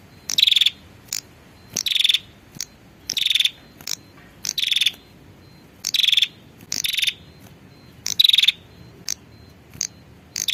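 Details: Female prinia calling for a male, a lure recording: sharp buzzy, pulsed rattles repeated roughly every one to two seconds, mixed with short high clicks, over a faint low hum.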